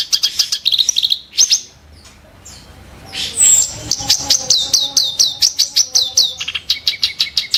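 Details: Harsh, sharp song of a kerak basi: dense chattering notes at first, a lull with faint low background hum, then a loud surge of repeated buzzy, scratchy notes and quick clicking runs.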